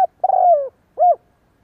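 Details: Spotted dove kích bổi cooing for decoy training: a long, slightly falling burry coo followed by a short arched hoot, low-pitched and clear against a quiet background.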